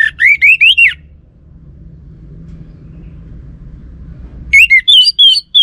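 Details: Orange-headed thrush song played as a lure so a male will answer: a phrase of looping, warbled whistles rising and falling, a pause of over three seconds with low hum, then a second, more varied whistled phrase.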